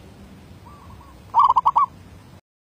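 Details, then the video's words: Decoy zebra dove, 2019, in derak labuh style: a faint soft coo leads into a louder quick burst of about five rolling, stuttered notes, then silence. "Denak Merbuk 2019 C Bogon Suara B Derak Labuh"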